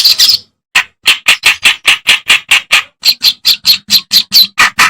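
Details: Reed warbler (kerakbasi) song used as a master recording to train songbirds such as greater green leafbird and white-rumped shama: harsh, chattering notes repeated rapidly, about two per second, after a short opening burst and pause.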